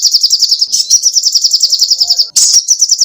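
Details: Energetic sogoh ontong song recorded as a model for cage birds: a fast, even, high trill of rapidly repeated notes with a short harsh burst before it resumes.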